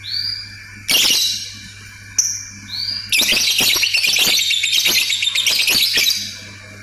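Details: Lovebird calling in ngetik style, then breaking into a long ngekek: a sustained harsh, rapidly pulsed chatter lasting about three seconds after brief whistles and a sharp burst, low hum beneath.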